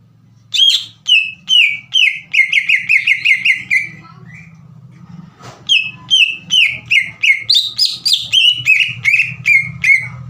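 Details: Green leafbird in full song, used as a lure to provoke untrained leafbirds into singing: rapid series of loud, clear whistled notes, each dropping sharply, repeated almost three times a second, with a short pause midway and a low steady hum beneath.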